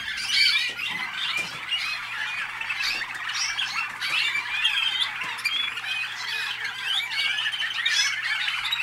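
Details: Waterslager or malinois canaries bred in North Canton, Ohio, USA, pour out steady, busy warbling, many quick rising and falling notes overlapping without pause, over a faint steady low hum.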